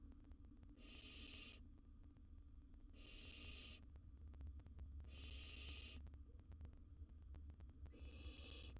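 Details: Barn owl nestling, wild, at the nest with prey, repeating harsh breathy hisses about every two seconds, four in all, over a steady low rumble.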